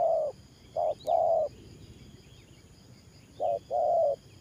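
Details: Spotted dove used as a decoy, cooing in the 'thổ pha nước gù' style. Two pairs of a quick coo and a longer sustained one are separated by a two-second pause. A faint click and distant chirps are also heard.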